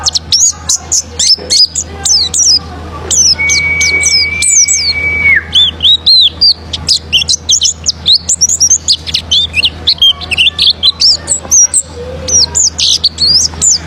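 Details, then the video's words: Pleci, the oriental white-eye, singing as a lure to make other birds sing: busy, overlapping high-pitched chirps and sharp falling twitters, one long flat whistle early on, steady low hum in the background. "Cocok Buat Pancingan Burung Pleci Auto Ngalas Bongkar Materi"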